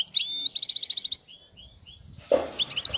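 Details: Wild European goldfinch song described as flawless: a rapid series of bright, tinkling repeated notes, then softer twittering, a brief thud of handling noise and more high liquid chirps.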